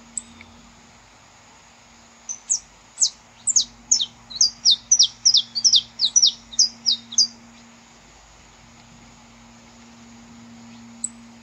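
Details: Wild saffron finch song recorded in nature, played to warm up other saffron finches: after a lone note, a five-second burst of rapid, high, clipped chirps, densest in the middle, over a steady low hum.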